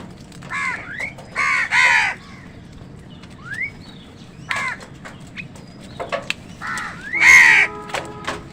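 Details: Crows and wild birds fighting over food: harsh crow caws interspersed with thin rising whistles, a quiet spell in the middle, then a loud final caw with faint tonal hum.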